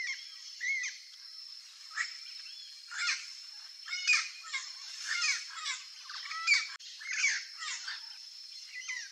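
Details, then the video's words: Young Turquoise-fronted amazon (Amazona aestiva) gives harsh, squawking calls mixed with short whistled notes, several every second, over a steady high insect hum. "PAPAGAIO-VERDADEIRO jovem (AMAZONA AESTIVA), TURQUOISE-FRONTED PARROT"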